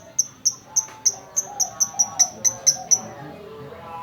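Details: Female lovebird in lively, gacor voice: sharp, high chips repeat evenly about three times a second for three seconds, then stop; faint lower warbling and room noise run underneath.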